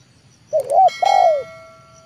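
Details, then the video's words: Lure-trained spotted dove of the 'leopard' type, coaxing wild doves down to the yard. One phrase made of a short double coo and then a long, smooth, falling coo, with a thin whistled tone lingering after it. "TEKUKUR LEOPARD AJARAN RASA PIKAT"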